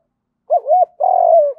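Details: Spotted dove giving a fighting coo in the Vietnamese field-voice style, used as a lure for wild birds: two short arched notes followed by one long, level, slightly falling coo, clean and close with no other sounds.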